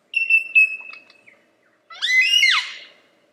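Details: Lyrebird singing a steady high whistled note with a few clicks, then after a brief silence a burst of tangled, bright whistles sweeping up and sharply down.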